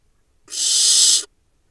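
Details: Single harsh, airy hiss-screech lasting almost a second from a barn owl nestling at a nest-box camera in the Hula Valley, Israel, recorded in July during a pouncing play session among four siblings; otherwise quiet.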